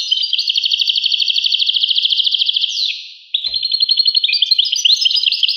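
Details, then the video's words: European goldfinch song of rapid, bright, tinkling trills flowing almost without break, then a brief drop and a resumed twittering, jangling phrase. "carduelis carduelis 💥goldfinch or the European goldfinch in colloquial speech"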